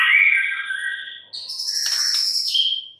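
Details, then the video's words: White-rumped shama song: a warbled whistle falling in pitch, followed by a long, very high, buzzy trill ending in a clear whistle. "murai batu BISU, STRES, MACET TOTAL bakalan NYAUT GACOR dan Kembali FIGHTER"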